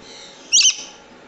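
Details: Swainson's lorikeet letting out one harsh, shrill screech with a slightly doubled, stuttering quality, very high and abrupt, in otherwise quiet surroundings.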